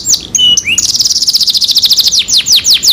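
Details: Canary song used as a lure to get a reluctant canary singing: high whistled notes and a short slurred phrase, then a fast trill of rapid repeated notes that slows into a few descending sweeping whistles.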